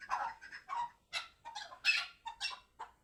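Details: Chukar partridge from Qabodiyon, Tajikistan: a rapid, uneven run of harsh, clucking notes, some low and some sharper and higher, several birds or one bird calling excitedly with brief gaps between bursts.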